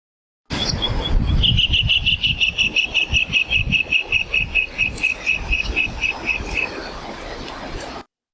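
White-throated Kingfisher gives a shrill, rapid whinnying trill of about twenty sharp notes that slowly fall in pitch, with low rumbling background noise.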